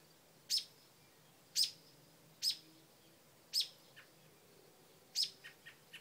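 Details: Mother bird guarding a porch nest of new babies, scolding a dog with five loud, harsh chips at irregular spacing, followed by a quick series of softer lower notes.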